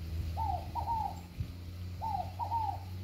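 Scaled dove giving soft, mellow cooing notes in paired phrases, each note arching up then falling, repeated about every one and a half seconds over a low background rumble.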